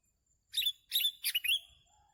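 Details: Sooty-headed bulbul calling in a bird-trapping setting: three loud, harsh, bubbly chirped bursts in quick succession, each rich and scratchy, followed by a short faint tone.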